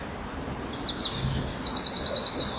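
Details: Common kingfishers at their nest with young, 12 July 2013: a run of thin, very high, shrill piping notes, some drawn out and some in quick pulsed series, over a low background rumble.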